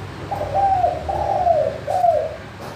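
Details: Spotted dove in clear, crystal-voiced manggung cooing, used as a lure to get quiet doves to sing. Three mellow, low coo phrases in quick succession, each wavering and slightly falling, with faint background hiss.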